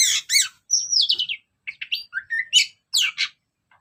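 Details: ['Orange-headed thrush delivering its ngeplong song, used to prompt other birds. Steady stream of high notes: harsh buzzy chirps, a long descending whistle, short mid-pitched slurs and sharp squeaks, with barely any gaps.']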